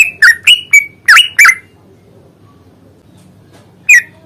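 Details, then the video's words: Yellow-vented bulbul fighting lure to trigger singing: five quick, loud, bubbly whistled notes in a burst, then silence, then one more bent note at the end. "trucukan gacor tarung ROPEL PANJANG pancingan trucukan agar bunyi"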